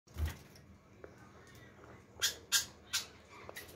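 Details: Java sparrows, part of a group of eleven in Hyderabad, India, give three short, sharp chipping notes in quick succession, about a third of a second apart, after a soft thump and faint indoor background.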